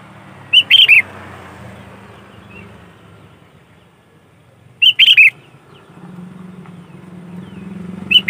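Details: Lively Sooty-headed bulbul song used for luring bulbuls: three brief, bright chortled phrases of several fast notes, spaced about four seconds apart, with a soft low rumble like distant traffic underneath.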